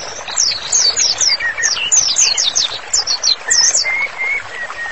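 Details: White-rumped shama master song: quick series of high downslurred notes, then level whistled notes at a lower pitch, repeated steadily near the end.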